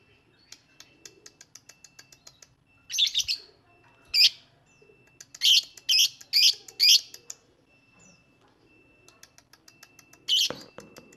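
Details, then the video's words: Lovebird song made of bursts of harsh, high chattering notes, some in quick clusters of three or four, with soft rapid ticking between the bursts. "INI CARA MEMANCING BURUNG LOVEBIRD, PASTI BUNYI MENDENGAR VIDEO INI.. LOVEBIRD SINGING"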